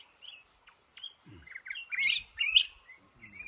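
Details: A trapped male red-whiskered bulbul in a cashew garden gives short whistled notes building into louder, rich, gurgling phrases, with a few soft low thuds underneath.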